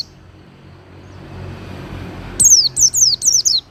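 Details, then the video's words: After nearly two and a half seconds of low background noise, an Oriental white-eye for cage-bird mastering gives four quick, high, falling whistled notes. "Masteran Pleci Durasi Panjang – Suara Halus dan Bertenaga!"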